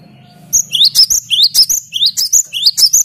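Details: Loud 'gacor' singing of a gelatik batu, used to provoke rivals: a dozen sharp, high rising notes tumbling rapidly over a steady low hum.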